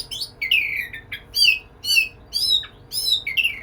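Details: White-rumped shama singing to court a female: loud whistled phrases sliding down in pitch, separate bursts repeated about every half second, with sharp high notes between them.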